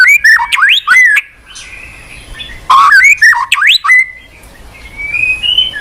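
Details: White-rumped shama song used as a lure for a lazy-singing pet bird: rapid bursts of clear whistles and upward slurs, a gap, then more fluting notes and a thin high rising whistle trailing off.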